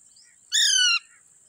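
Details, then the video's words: Green Indian ringneck parrots together with a baby parrot: one loud, harsh, harmonically rich screech lasting about half a second and falling slightly in pitch, over a steady high background hiss. "Green grass Indian Ringneck parrots talking,together baby parrot"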